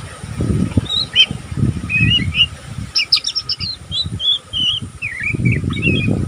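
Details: Young oriental magpie-robin, still learning, twittering without pause: short scratchy chirps and quick warbled notes, mid to high pitched, scattered through the clip over a steady low rumbling background noise.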